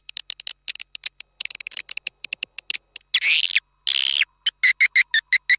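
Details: Lure call for swiftlet farming, a rapid train of high clicking chirps broken by two longer buzzy trills, then evenly spaced sharp chirps at the end.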